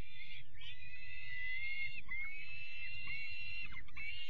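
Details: Young peregrine falcon chicks being given their evening meal on 5 May 2021: harsh, raspy, continuous wailing calls with brief breaks, over low rumbling background noise.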